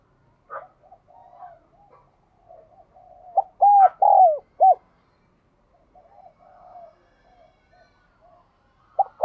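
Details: Spotted dove singing in the ringing, resonant 'giọng đồng kim' (bell-bronze) voice style. Soft low cooing runs through the clip, broken midway by a loud burst of four deep, swelling coo notes, with further quieter coos and a final loud note at the end.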